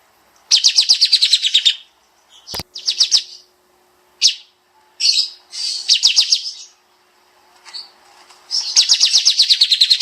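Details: Pied Triller (kapas tembak), dense fast 'nembak' song for songbird training: long, rapid trills of high slurred notes in repeated bursts, with a sharp click and brief quiet pauses between phrases.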